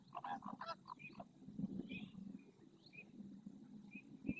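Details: Greater flamingo flock in the Doñana marsh at El Rocío, Spain, dancing with necks stretched, heads flicking and wings opening; a rapid run of nasal goose-like honks opens, then a steady low murmur of many birds with thin chirps above.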